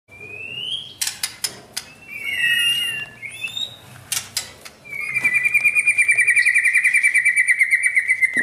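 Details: White-rumped shama, a bird being trained toward champion-level mental strength, singing varied whistled phrases broken by sharp clicks, then a long, fast, steady trill held for over three seconds.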